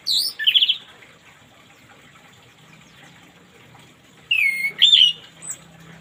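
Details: Orange-headed thrush in the morning, recorded to coax reluctant birds into singing: two bursts of bright whistled phrases near the start and again after four seconds, with quick upslurred and downslurred notes. A soft watery hiss runs underneath.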